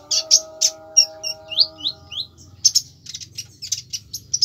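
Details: Konin singing fiercely: harsh high chirps, then a series of thin, falling whistled slurs, then rapid buzzy chirps. A faint low drone is present.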